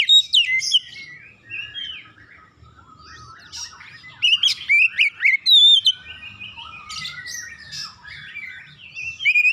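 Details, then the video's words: Oriental magpie-robin song meant to prompt other birds to sing: busy, varied phrases of bright whistles, squeaky chips and scratchy notes, a quieter middle stretch, then a loud burst of clear whistles and a final flourish. "PANCINGAN KACER langsung latah ikutan gacor"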